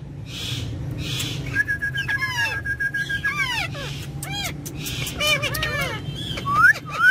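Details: Pet ringneck parrots having fun on a car back seat: a long level whistle, then fast bending chatter and squeaky syllables, with road and engine noise beneath.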